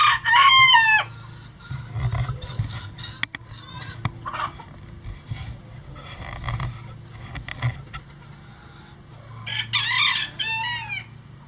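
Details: Crowing roosters from a flock of at least 20 standard and bantam roosters on a farm, calling all day. One clear, ringing crow opens, a long quieter gap with faint clucks and knocks follows, then another harsh crow near the end.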